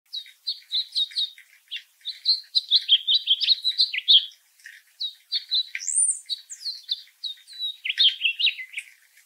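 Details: House finch singing from the top of a tree in North America: a long, rambling warble of quick chirps and slurred notes, with one high upslurred whistle near the end; no other sounds intrude.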